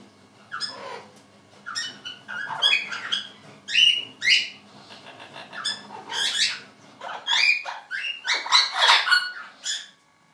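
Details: A pair of orange-winged amazons in spring, noisy from time to time, give a long series of loud raspy squawks and shrieks, irregular bursts with short chattering notes in between.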